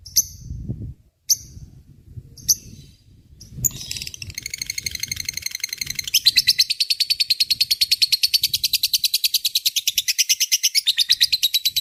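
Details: Lovebird giving its long ngekek chatter, recorded as a tutor for murai and kacer songbirds: a few sharp chirps, then an unbroken rapid buzzy trill of evenly pulsed notes lasting about eight seconds.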